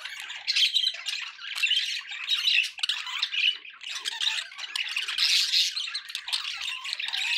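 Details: Several kept budgies warble and chirp at once, a continuous busy tangle of high twittering notes, clicks and brief harsh squawks that swells and fades over seven seconds.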